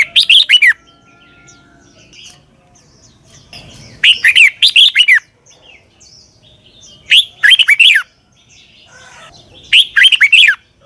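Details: Red-whiskered bulbul in Thailand giving the double-style southern master song for young birds to learn. Four crisp warbling phrases spread across the recording, each a rapid run of sweeping notes, separated by silent pauses.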